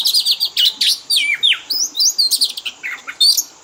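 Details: Oriental magpie-robin kept as a pet, in a lure recording of fill-in song used to train birds to mimic. Rapid run of high, sharp chirps and short whistled slurs, some falling steeply, delivered almost without pause.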